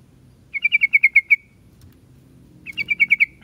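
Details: Yellow-vented bulbul singing: a quick bubbling run of about eight liquid notes, slightly falling, then a pause and a second matching run, over a low background hum.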